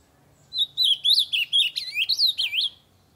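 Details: Ultramarine grosbeak singing very loudly to stimulate other birds to sing: a two-second run of rich, warbled whistles, each note sliding up and down in a quick, lively phrase, with a quiet background.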